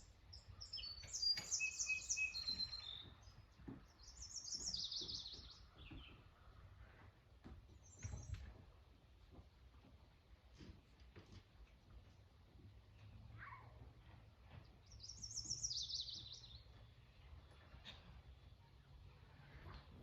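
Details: Hummingbirds at a feeder near the beach in northern Nova Scotia give thin, high squeaky chips and chittering bursts over a soft surf rumble.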